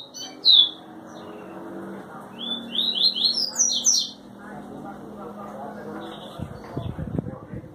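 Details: Double-collared seedeater (tui tui) from João Pessoa, Paraíba, Brazil, singing a few loud sharp whistled notes, then a run of quick downward-slurred whistles, over low steady background hum and music.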